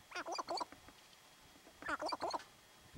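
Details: Sharp-tailed grouse being territorial in Theodore Roosevelt National Park, North Unit, June 2017; two rapid bursts of harsh cackling notes, each a quick run of four or five clucks, about one and a half seconds apart.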